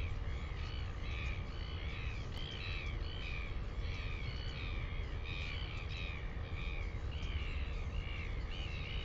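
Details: Northern royal albatross in New Zealand, recorded 10 June 2020: a series of repeated arched, nasal harmonic calls, several per second, under heavy low rumbling wind noise.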